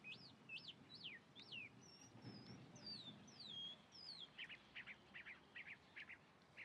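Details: Chalk-browed mockingbird in song: loud looping whistles that rise then drop, a few slurred descending notes, then a rapid series of short clipped chips repeated about twice a second.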